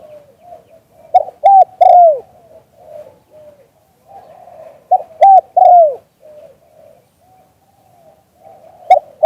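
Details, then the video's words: Spotted dove singing in the liu tan style, recorded live: two loud bursts of deep, hoarse cooing about four seconds apart, each a rapid double note followed by a long drawn-out falling coo, with soft murmuring coos between. "เสียงนกเขามงคล หลิ่วตัน"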